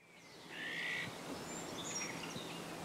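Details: An Iberian magpie (Cyanopica cooki) in winter, Doñana National Park, Spain, 26 December 2011, gives one harsh, rasping, buzzy call of about half a second, with faint thin notes and a steady background hum.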